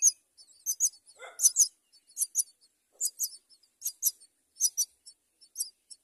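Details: Common myna chick begging while its mother finds food for it: high, harsh, raspy squeaks in quick bursts of one to three, about once a second, with one lower, rougher note.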